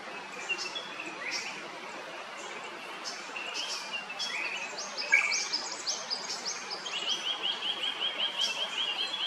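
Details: Drongo calling in Kerala, India: a busy run of short, metallic chirps and clipped whistles, with quick descending notes giving way to a fast, even series of rising chirps near the end over steady background hiss.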